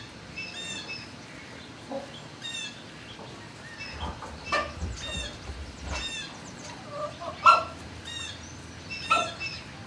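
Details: Turkeys in a barn on 26 March 2019 around midday: short, harmonic-rich chirping calls overlap irregularly from several birds, with a few louder sharp yelps near the end and low rumbling barn noise underneath.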